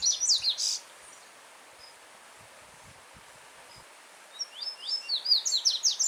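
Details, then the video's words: Yellow-bellied seedeater singing free in nature, the end of one phrase of high rising notes, then a quiet stretch of running stream water before a new phrase of rapid, accelerating upslurred chirps builds and continues. "Coleiro Baiano Cantando Forte com Som de Riacho ao Fundo"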